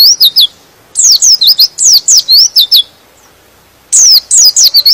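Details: High-pitched white-eye song used to rouse other pleci into singing: quick strings of thin, down-slurred chirps come in two long runs separated by a short silence, with a brief burst at the end.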